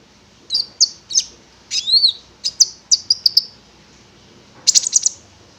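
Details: Konin, a prinia, singing in a recording played to make the bird sing: sharp high chirps, a slurred rising-falling whistle, a run of quick notes, a long pause, then a final buzzy burst.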